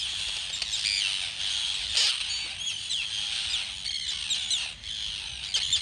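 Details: Arctic terns at a very large nesting colony with chicks at Rif, Snæfellsnes, Iceland, recorded on a phone while walking a street: a dense, continuous din of shrill, harsh overlapping calls with sharp higher notes cutting through throughout.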